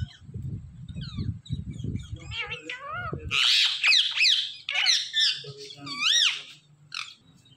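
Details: Indian ringneck parrots in a flock: after a few seconds of low rumbling background, loud arched squawks and screechy calls rise and fall in rapid, uneven succession, each call sweeping up then down.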